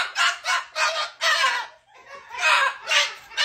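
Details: Pet cockatoo at 10:15 at night, fussing and yelling because it does not want to go to bed: harsh, raspy screeches in quick bursts, about eight in three and a half seconds, with a brief pause midway.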